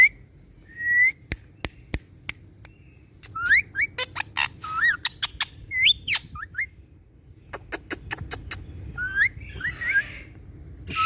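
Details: Pet ringneck parrots, tagged as from India and described as talking, give short rising whistled notes and harsh squawky bursts in irregular runs, mixed with sharp clicking taps; no clear words stand out.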